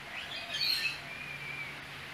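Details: Eastern whipbird visiting for its daily breakfast, one of a pair calling as lookout while its partner feeds. Brief falling whistles lead into a long, thin, steady whistle held for most of a second against quiet background hiss.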